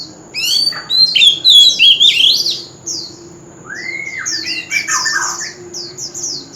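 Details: An old wild oriental magpie-robin sings loudly at a street corner. A loud tumble of rich, varied whistles leads into softer repeated downslurred notes, a long rising-falling whistle and more quick phrases.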